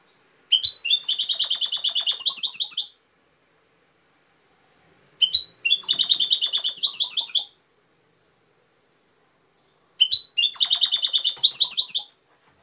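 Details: European goldfinch repeating a near-identical Cobia Málaga song phrase three times at roughly five second intervals; each is a quick two-note lead-in followed by about two seconds of rapid, tinkling trills.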